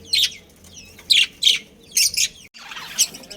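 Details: Chirping from a budgerigar breeding pair and family: loud, sharp, high chirps come in quick clusters over three seconds. A quieter rustle follows near the end.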